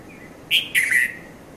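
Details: Short morning call of a red-vented bulbul at Mount Lavinia, Sri Lanka, around 5:30 a.m.: a quick sharp chirp followed by a slightly longer warbled note, heard over a soft steady hum.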